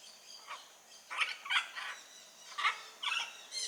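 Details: Blue-and-yellow macaw calling in nature, a run of rough, nasal squawks roughly every half second, varying in loudness, with a harsh tonal edge.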